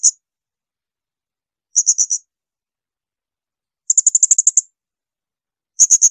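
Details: Shrill bursts from a Blue-crowned hanging parrot, used to train other songbirds: short groups of three to nine very high, sharp notes spaced by second-long silences.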